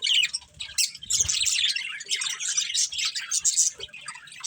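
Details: Budgerigar breeding pair chattering continuously in a busy, high-pitched jumble of scratchy chirps and squeaks, with faint low thumps in the background.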